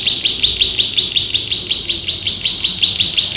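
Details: Male bar-winged prinia master recording, ngebren style with tight rapid bursts: sharp high chips repeated nearly three per second in a steady, even run, with no other sounds.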